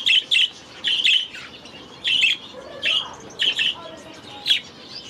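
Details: Budgies in an aviary utter loud, harsh squawking calls, mostly doubled, spaced about half a second to a second apart, with softer chattering between them.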